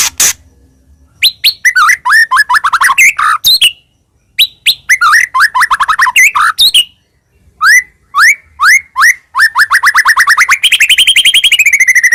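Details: White-rumped shama in full, busy song, used as a lure to draw other birds: fast runs of varied whistled and chattering notes in bursts, ending in a long rapid series of repeated rising notes.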